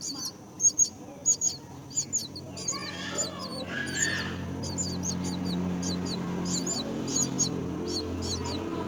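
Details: Myna tending young at its nest, giving loud, high, sharp chirps in quick pairs early on, then softer scattered chirps over a steady low hum and a brief hiss.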